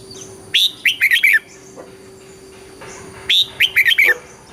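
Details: Red-whiskered bulbul, southern Thai master-pattern song used to excite birds and train young ones: two repeated phrases, each a high clear whistle then four lively warbled notes, separated by a quiet gap with steady hum.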